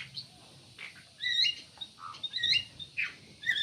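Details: Ruby-throated bulbul (cucak emas) song: scattered bright, slurred whistled notes and short chirps, some rising and falling, with faint low rumbling underneath.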